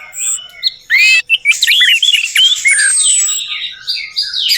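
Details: Orange-headed thrush song offered as a lure to make a silent bird sing: a soft opening, then loud jumbled whistles and curling notes, a long thin descending whistle and a continuous scratchy warble.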